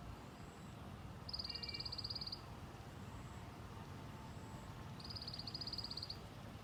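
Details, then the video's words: High, rapid ticking rattle from a white-eye, two bursts of about a second each spaced several seconds apart, called 'tành tạch' locally; constant low traffic rumble beneath. "Tiếng chim sâu lác ( tành tạch )"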